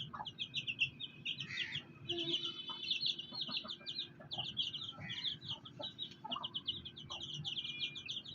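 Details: Black hen among fighter chicks: rows of sharp, high chick peeps run throughout, while short, low clucks from the hen come in scattered pairs and singles.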